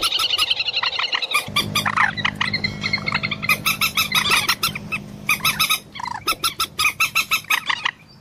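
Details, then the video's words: Common moorhen calling continuously with harsh, rapid, repeated notes and a few squeaky upslurs, while a low steady hum runs through the middle section. "ডুংকোর পাখির অরিজিনাল ডাক / ডুংখোর পাখির ডাক / জল মুরগী পাখির ডাক / Common Moorhen bird call"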